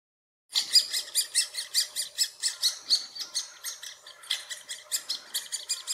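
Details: Great spotted woodpecker at its nest in Furuberget, Hamar, Norway, summer 2017, filmed handheld on a Panasonic Lumix FZ2000: a steady run of sharp, high, broadband calls, about four a second, starting after a brief silence.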